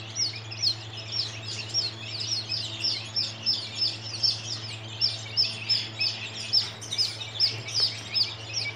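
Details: Many 13-day-old baby chickens peeping together: high, thin, downward-slurred cheeps in overlapping pulses about every half second, with a steady low hum in the background.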